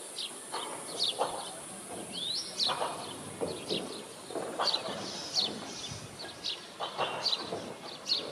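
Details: A juvenile male Indian robin (Copsychus fulicatus) gives short, high chirps, about one or two each second, over steady outdoor background noise.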